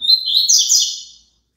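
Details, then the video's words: Double-collared seedeater singing a brief, rapid, high-pitched twittering phrase that starts on a thin note and fades within about a second, in a recording meant for a caged bird to sing along with. "COLOCA ESSE CANTO PARA SEU PAPACAPIM CANTAR JUNTO"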